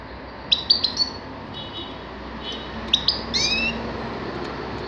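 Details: Grey-crowned goldfinch from a 2019 recording, producing a fast trio of tinkling chirps, a pause with softer notes, then a short burst of bright twitters and a rising slurred note, amid moderate background noise.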